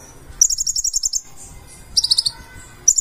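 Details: Konin, the purple-throated sunbird, in full-isian singing: a fast high trill run, a short quiet pause, then a brief descending trill and the start of another burst.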